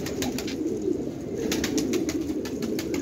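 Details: Domestic fighting tumbler pigeons (jangi parshi) kept in Khanabad, Afghanistan. Low, murmuring cooing rolls on continuously with soft pulsing swells. Scattered clicks and rustles, likely from movement, are heard over it.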